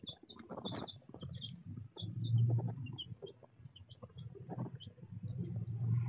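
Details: Baby chicks filmed by a raw, unedited chicken cam: short high peeps scattered through the clip over a steady low rumble and soft scratching and shuffling sounds.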